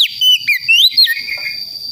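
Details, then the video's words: Young Priangan Oriental magpie-robin, wild-born in West Java, learning ngeplong song: a handful of clear, rising and falling whistled notes in under a second, then a fading steady high tone. "KACER PRIANGAN BAHAN BELAJAR NGEMPLONG"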